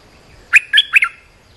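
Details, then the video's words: Lure call of an olive-winged bulbul, used to teach young birds and attract wild ones: a quick run of three loud, clear chirps with ringing overtones, then silence. "เสียงนกดอกแตงEp.248 เปิดหัดลูกเสอ ลูกใบ้ เสียงเรียกนกป่า Suara pikat merbah lekir gacor"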